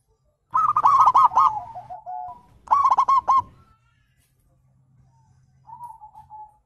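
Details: Zebra dove call meant to prompt other birds to reply: two quick bursts of loud clipped coos with falling tails, then a faint low hum and a soft distant descending phrase.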